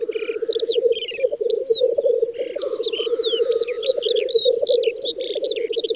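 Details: Several lekking black grouse on a spring field in the Volga region of Western Russia, May 2019. A constant bubbling rumble underlies sweeping whistles and rapid chirps of other birds, plus brief hissing bursts.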